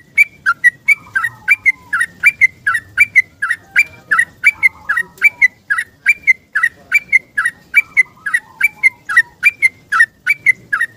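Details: Yellow-vented bulbul calling in the morning for a companion, a recording meant to coax stressed bulbuls to sing. Brisk, unbroken series of clear whistled chirps, roughly three per second, pairs alternating between two pitches, lasting eleven seconds.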